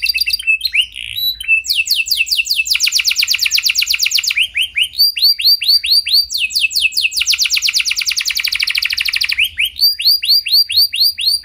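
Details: Canary song meant to prompt other canaries to sing: alternating slow, curved, rising whistles and dense rapid rolls of descending notes, repeated in long phrases.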